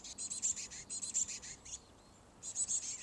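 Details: At least two black-capped chickadee chicks in a birdhouse attached to a garage beg as their parents bring food. The calls are high, hissing, buzzy bursts in quick series, with a pause near the middle before resuming.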